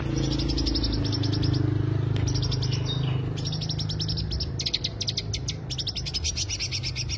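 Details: Greater green leafbird lure song: continuous runs of very high, rapid, buzzy trills building toward the end, over a loud low droning hum.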